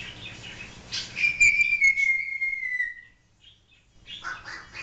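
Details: Pet African grey parrot indoors giving a long clear whistle that slides slowly downward, framed by brief squawky noises; owner's voice asking it to do a duck nearby.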